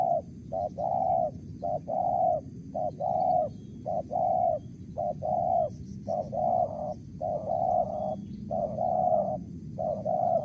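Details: Spotted dove (tekukur) cooing in the Mersik style: soft, hollow coos repeated steadily, short notes alternating with longer drawn ones, about one per second, over a constant low hum and faint background noise.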